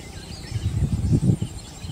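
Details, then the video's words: Yellow bittern (Ixobrychus sinensis) at Sultanpur wetland, Navsari, giving a few deep, hollow, pulsed notes in quick succession, very low-pitched, with faint background hiss. "YELLOW BITTERN | LONG-NOSED BITTERN | Ixobrychus sinensis | Call"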